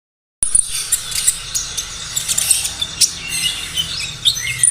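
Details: Olive-backed sunbird song used as a lure to get captive birds singing actively: after a short silence, rapid high thin chirps and sharp twittering notes tumble irregularly, with a faint steady background hiss.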